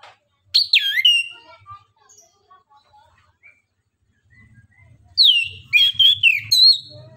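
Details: Orange-headed thrush, a Southeast Asian forest songbird known locally as punglor kembang, in gacor nembak-style song meant to draw other birds into singing: an opening sharp descending whistle, a long quiet gap with soft notes, then a dense burst of varied whistles.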